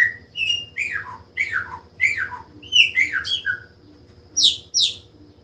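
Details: Chopi blackbird delivering clear whistled notes that swoop downward in pairs, then a pause and two high, shrill bursts, loud and close over a faint steady hum.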